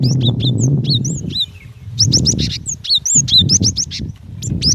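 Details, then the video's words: Female cinereous tit calling the male: rapid bursts of high, sharp chirps, each note rising then dipping, in quick clusters over a steady low rumble of background noise. "Suara gelatik batu betina"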